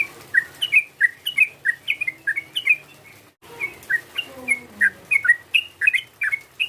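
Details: Sooty-headed bulbul calling to stir up a rival. Lively, bubbling chirps rise and fall in quick repeated phrases, break off for a moment, then resume in an equally busy sequence.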